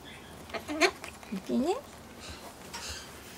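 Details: A pet Ducorps's (Solomons) cockatoo gives a few short, nasal, upslurred calls, almost speech-like, near a play tent against a quiet indoor background with faint rustling and clatter.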